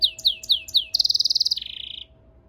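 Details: Song of a goldfinch × canary mule: four high notes sliding downward, then a fast rattling trill that drops to a lower, steady buzzy trill before stopping.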